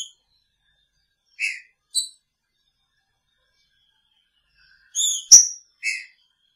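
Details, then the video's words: Green-winged Saltator kept in a cage with its female, singing picharro style: a few clear whistled notes spaced irregularly, then a quick cluster of three, one ending in a sharp high click. "Trinca Ferro com sua fêmea!! Picharro"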